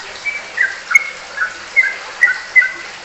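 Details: Ropelan singing by a sooty-headed bulbul (trucukan): crisp level whistles alternate with lower slurred notes, about six phrases in three seconds.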